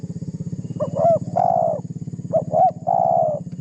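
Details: Spotted dove in full voice, a call meant to provoke a rival and used as a lure: two short hooked coos, then a long burry note, given twice over a steady low throbbing engine hum.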